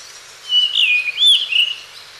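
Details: Fluty whistled phrase of a Blue rock thrush (Monticola solitarius), drawn from a call library: two smooth, sliding notes, the second arching up then down, followed by a short trailing warble, with no other sounds.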